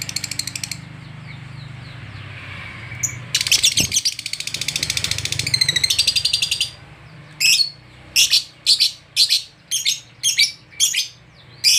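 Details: Lovebird roused by meeting another lovebird: a long buzzing chatter of rapid chirps, then a string of separate harsh shrieks about half a second apart, over low hum.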